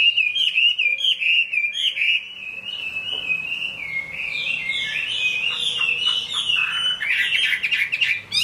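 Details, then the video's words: Caged Chinese hwamei singing in the rain: a long flowing stream of rolling whistled notes, bright and continuous, with a brief quieter pause before loud varied phrases resume. "Họa mi hót trong mưa"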